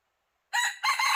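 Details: A decoy red junglefowl set out to lure wild junglefowl gives a harsh, hoarse crow, two strong rough bursts cut short, with silence before it.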